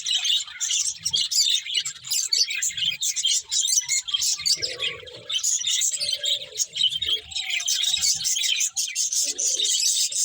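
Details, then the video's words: Budgerigar chatter fills the clip: high, rapid twittering and scratchy warbles from many birds, broken by a few short lower cooing notes. "Cute Budgies Chirping Sounds"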